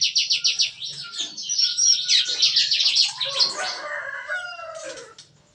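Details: In an aviary pen in the morning, bar-winged prinias give their lively gunfire-like song. Fast, high, staccato notes pour out. Lower drawn-out whistles and a faint low hum run beneath them.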